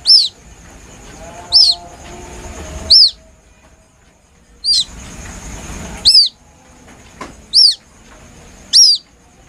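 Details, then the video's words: Chick of a White-breasted waterhen giving plaintive calls, a recording used as a hunting lure: short, high, arched chirps, single or in quick pairs, repeated about every one to two seconds over a faint low background hiss. "Suara anak burung ruak ruak asli nelangsa"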